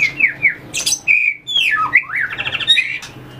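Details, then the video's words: Fighting-song training of a White-rumped shama, tail-flicking on its perch: varied high, swooping whistles, some falling and some rising, mixed with buzzy trills and clicks, lively and continuous. "luyện chòe lửa hót đấu,đập đuôi chạy cầu"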